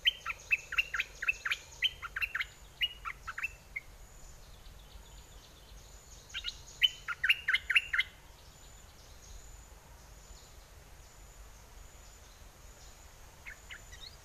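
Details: Decoy red-whiskered bulbul singing in aggressive and wild mate-calling styles: a rapid string of bright, looping whistled notes for about four seconds, a quiet gap, then a second loud burst, and a few faint notes near the end.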